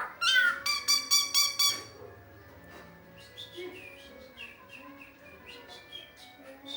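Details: Asian pied starling, an imitator of animal sounds, opens with a fast burst of loud, harmonic repeated notes, then continues with faint, scattered high chirps and short whistles.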